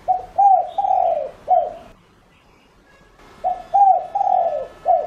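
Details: Spotted dove kept as a lure bird, giving its calling coo to draw in other doves: two four-note phrases of soft, mellow coos, each phrase ending in a longer, drawn-out falling note, with a pause of about a second and a half between them.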